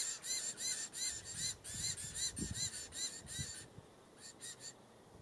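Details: Diamond firetail recorded in Victoria, Australia, in November 2015: a quick series of short, nasal, harmonic-rich notes, about two or three a second, pausing briefly before a few more, over soft low rumbling background noise.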